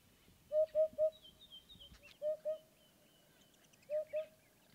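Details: African hoopoe (Upupa africana), call.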